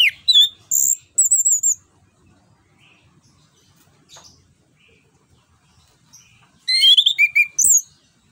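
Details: Orange-headed thrush singing, played as a lure for a bird that will not sing: wavering high whistles open, then a pause and a fast burst of sharp chirps.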